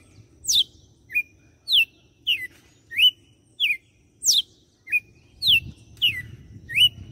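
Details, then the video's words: Red-cowled cardinal from Fortaleza, Ceará, Brazil, singing the açoite song style, described as six notes finished with a closing flourish; loud, sharp whistled notes sweeping downward, repeated roughly every half to one second, with faint low background noise. "Galo de campina - CANTO DE AÇOITE."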